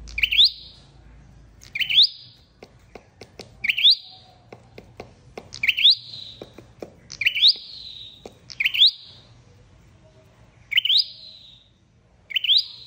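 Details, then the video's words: Flowerpecker calls used to lure birds for trapping. Steady rising-then-trailing high chirps repeat about every second, with clicking taps between them and a low hum in the background. "Tiếng chim sâu đầu đỏ đi bẫy"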